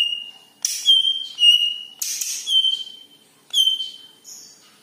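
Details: Greater green leafbird with a yellow head, singing as a lure for other birds. Three phrases, each a burst of scratchy chatter followed by a long, pure, slightly falling whistle, with clean silence between.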